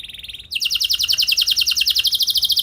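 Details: Canary song used to coax other canaries into sustained singing; a soft short trill leads into a loud, rapid roll of bright repeated notes that carries on without a break.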